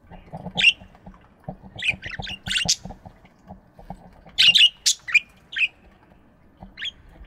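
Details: Morning aviary with budgerigars calling: rapid bursts of raspy chirps and squeaks, some stacked close together, plus faint low tapping and rustling underneath.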